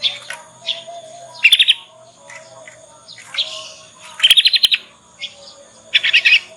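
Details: Juvenile Yorkshire canary practising the ngriwik sound, a lure to get other canaries to reply and learn; repeated rapid pulsed trills in bursts of five to seven notes, separated by soft twitters, steady hum beneath.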